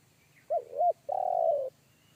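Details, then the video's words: Deep-voiced wild spotted dove, a forest bird whose bass one-kuk call made a young decoy dove shy away. Two quick looping coos lead into a sustained, buzzy, purring low note. "PIKAT AJARAN T4KUT MENDENGAR SUARA TEKUKUR INI‼️SUARA BESAR NGEBASS"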